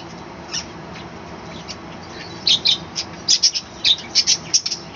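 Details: Morning chattering from a small balcony colony of pet budgerigars, with a quiet start followed by a quick series of loud, sharp high chirps, roughly three per second, over light background hiss.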